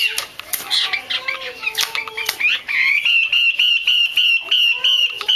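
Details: Female Chinese hwamei, played to spur male hwameis to sing: an opening jumble of harsh, noisy chatter and clicks gives way to a fast, regular series of bright whistled notes, about three a second.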